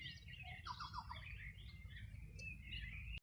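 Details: Birdsong along the Río Bueno riverbank, Los Ríos region, on a summer morning in 2020: high twittering phrases overlap, with a brief series of rapid descending notes near the start and a sharp click at the end, over low river noise.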